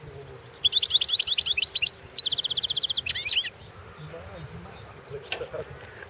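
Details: Goldfinch championship song: rapid liquid twittering phrases, a sweeping note leading into a fast buzzy trill, then a brief tinkling flourish before quiet, low-level background noise returns.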